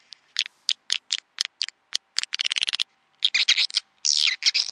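Swiftlet calls: rapid bursts of high, dry, buzzy chirps that run together into rattling trills, with brief pauses between bursts. No other sounds are heard.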